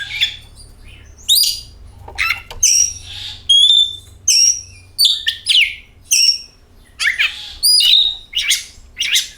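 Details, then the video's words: Oriental magpie-robin song played as a lure to set the bird singing: a run of short, bright whistled notes and harsh chattering bursts, each phrase about a second long, separated by brief pauses. "Pancingan Kacer"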